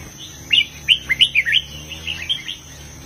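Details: Red-whiskered bulbul singing southern master-song style phrases: one quick string of about eight sweet, slurred whistled notes rising and falling, fading toward the end over a soft steady hum.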